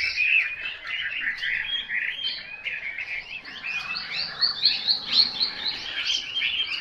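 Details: Chinese hwamei, a selected songbird, singing a dense, rich, unbroken stream of varied whistled and warbled phrases, quick slurred notes rising and falling with some louder pulsing notes toward the end.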